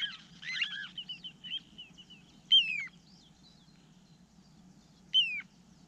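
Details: Little ringed plover: after an opening burst of mixed twittering and warbled notes, two clear downslurred whistles ring out about two and a half seconds apart against a quiet low hum.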